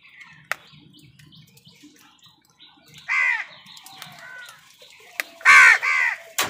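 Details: Crows competing with wild birds for food utter a rough caw, a softer second one, then a quick loud double caw, with chirps in the background.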